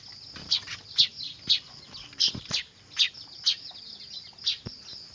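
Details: Noisy weaver chicks, used as a lure for trapping birds: high, sharp chirps repeated about twice a second, some doubled, over a faint low background hum.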